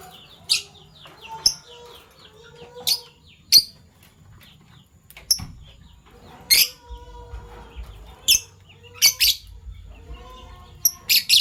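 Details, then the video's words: Morning chirping of Fischer's lovebirds, a PB Violet and a Euwing Gold Opaline: scattered piercing high chirps, single or in quick pairs, spaced a second or two apart, with faint warbling and a low rumble behind. "Lovebird Chirping Sounds - PB Violet Fischer & Euwing Gold Opaline Fischer"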